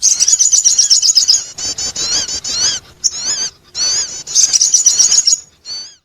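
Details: Sogon bird calling to attract others: rapid bursts of high, thin chirps and squeaky rising-falling notes in dense runs, broken by short pauses, with a buzzy trill near the end.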